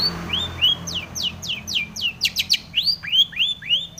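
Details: Long-tailed shrike singing to provoke other shrikes into song: a lively run of clear slurred whistles, some sweeping down steeply and others arching up and over, delivered about three per second.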